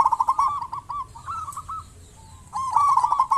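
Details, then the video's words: Local zebra dove singing actively, used as a lure to make other zebra doves call: bursts of soft, rolling coos with a quick stuttering start, broken by short pauses, with faint higher chirps behind. "Perkutut lokal gacor cocok buat pancingan burung perkutut"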